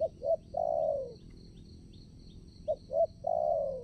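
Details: Trapping decoy spotted dove at a new site. It gives two phrases of clipped low notes followed by an extended, gradually dropping coo, while a high insect drone pulses in the background.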